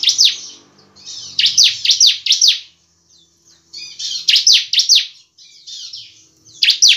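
Bar-winged prinia giving bursts of loud, high, sharply down-slurred chirps, four or five in quick succession, with short pauses between bursts; faint low hum early on.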